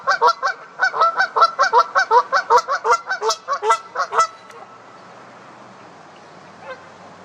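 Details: Fighting Canada geese give a rapid string of loud, harsh honks for about four seconds, then fall almost silent apart from one faint later note.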